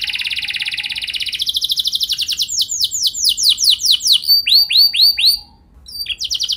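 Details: Canary lure song for prompting other canaries to sing: a dense buzzy roll gives way to looping rising syllables and repeated arched chirps, with a brief gap near the end.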